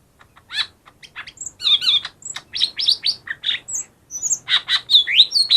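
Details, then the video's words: A lesser green leafbird in full song, used to provoke reluctant birds into singing: a continuous, rapid medley of high whistles, slurred downward notes and buzzy chirps, about two or three notes per second. "suara burung cucak ijo mini yang paling ampuh buat pancing yang malas bunyi"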